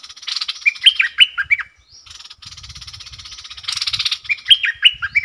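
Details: Decoy bulbul directing song at wild birds: loud downslurred whistles, then a long steady buzzy rattle, then more whistles, with faint low rustling.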